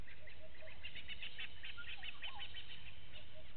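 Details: Blacksmith lapwing family with one chick at Gowrie dam waterhole, Djuma Game Reserve, Sabi Sand, South Africa, early morning: a rapid series of sharp, metallic clicking notes, with soft low hoots and faint calls of other birds behind.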